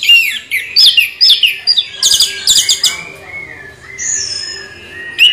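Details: Orange-headed thrush giving its continuous rolling ngeroll song: quick whistled slurs and chips, a dense burst of high notes, then a long, steady, high whistle and a softer trailing note.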